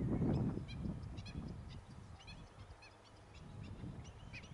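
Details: Chicks of the black-winged stilt, Gran Canaria, June 2020, uttering clipped high piping notes, several per second in places, against bursts of low rustling and handling noise.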